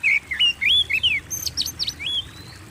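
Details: Lively kacer (oriental magpie-robin) singing, played to spur caged birds into song: looping whistled phrases that rise and fall, then higher rapid chips and a long thin whistle, delivered continuously without pauses.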